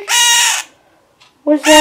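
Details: Male scarlet-chested parakeet, a month younger than his female mate, crying while asked to step up; a single loud, rasping half-second cry, then silence and the start of a woman's gentle talking.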